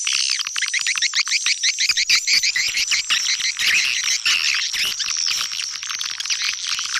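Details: Swiftlet calling sound for attracting the birds: quick series of rising, high chirps at first, merging into a thick, steady wash of twittering and clicks.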